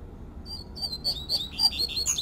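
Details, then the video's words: Rusty-collared seedeater singing in the wild, "tui tui" fluted style: after a brief pause, a string of pure whistles slurred downward, growing louder and ending with a couple of high ringing notes. "COLEIRO PAPA CAPIM CANTANDO TUI TUI FLAUTEADO NA NATUREZA"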